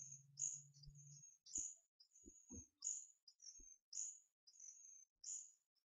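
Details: Begging hawfinch chicks, a captive-raised pair twelve days old, being fed by hand on 4 May 2014; high piercing squeaks repeat roughly every second, opening over a short low hum, with dull taps from feeding.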